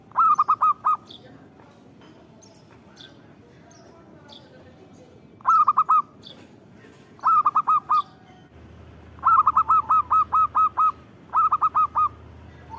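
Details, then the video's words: Zebra dove in full song: bursts of three to four quick, hooked cooing notes near mid pitch, separated by pauses, with one longer run of about eight rolling notes toward the end; faint background hum. "Suara Burung Perkutut Gacor"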